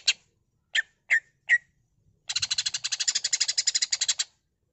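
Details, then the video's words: Full-isian song of a greater green leafbird (cucak ijo), played as a pancingan: a few harsh chipping notes, then a fast, even rattle of buzzy notes lasting about two seconds. "CUCAK IJO GACOR BONGKAR ISIAN NGENTROK PANCINGAN CUCAK IJO GACOR FULL ISIAN"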